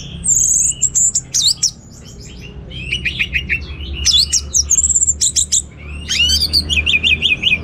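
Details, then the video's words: Anis merah (orange-headed thrush) in gacor teler song full of varied material: high thin whistles, rapid rattling chatter and a fast warbled trill, coming in dense outbursts between short quiet gaps. "Suara Gacor Burung Anis Merah Teler Materi Melimpah"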